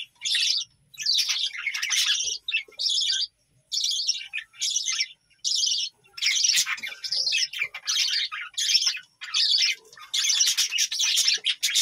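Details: A budgerigar colony on a village bird farm chatters in quick bursts of high, scratchy chirps, each burst about a second long and separated by short pauses.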